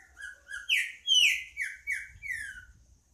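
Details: Green-winged saltator singing: a quick run of loud, clear whistled notes, several slurring downward, with a sharp bright peak midway through the phrase; a faint low rumble sits underneath.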